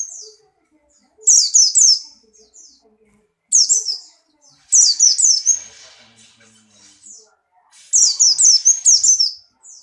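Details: A Buxtoni white-eye in breeding condition delivers four separate bursts of rapid, high, sweet down-slurred notes, each burst about a second long with quiet gaps between.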